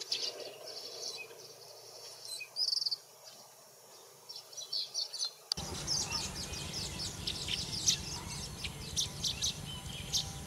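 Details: Asian golden weavers (Ploceus hypoxanthus) at a small nesting colony in wet-area emergent vegetation, Thailand, in the March–August breeding season: busy chatter of short, high, sparrow-like chirps and twitters in quick overlapping bursts over steady background hiss.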